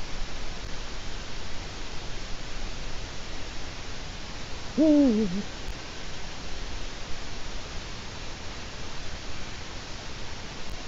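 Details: Eurasian eagle-owl recorded by webcam in Latvia on 4 March 2018 around 16:06: one brief low hoot falling slightly in pitch midway, set against a constant rushing hiss with no other calls.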